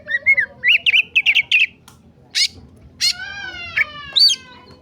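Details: Oriental magpie-robin (kacer) in an agitated, emotional state, a masteran recording: short whistled rising phrases, a fast burst of buzzy trilled notes, sharp harsh bursts, then a long, steady, slightly falling note with a brief squeaky ending, all over a faint low background hum.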